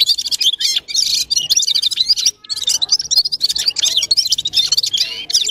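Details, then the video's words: Red-fronted serin (Gulsir) in a G'ir-G'ir style song: a rapid, high, metallic twittering of tinkling trills and chirps, with a brief pause near the middle before the jangling phrases resume. "Gulsir Singing (Seriniis pusillus) Пение Птицы (Yurok Qushi Red-capped signing) G'ir-G'ir"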